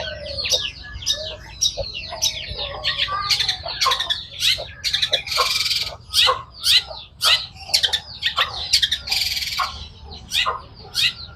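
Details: Long-tailed shrike giving a rapid, rasping song: a long run of harsh, buzzy and squawking notes, at first jumbled, then in sharp repeated bursts about twice a second, over a steady low hum.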